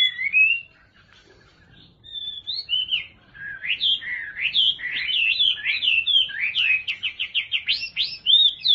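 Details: A kept Chinese hwamei (Garrulax canorus) sings a rich, varied run of clear whistled phrases: looping slurs, quick trills and rapid repeated notes that build in pace toward the end.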